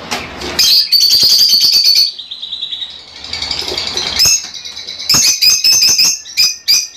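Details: Fischer's lovebirds singing to encourage breeding, with rapid shrill chirping repeated about three times per second. A long loud run opens, then softer trilling follows before another burst of sharp high notes.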